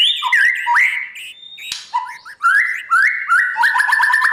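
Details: Caged-competition style training song from a white-rumped shama in the morning: rich mid-pitched whistled phrases that swoop up and level off, repeated in short bursts, ending with rapid stuttering notes, other birds chirping faintly behind.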